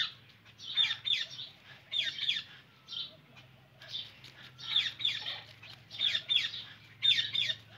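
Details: Indian ringneck parakeet screeching in a steady series of loud, rasping double and triple squawks, repeated roughly every second with short pauses between bursts.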